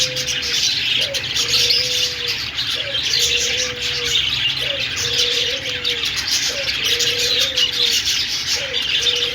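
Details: Budgerigars singing, a constant high twittering warble of rapid chirps, while a low soft cooing note repeats roughly every two seconds beneath the chatter.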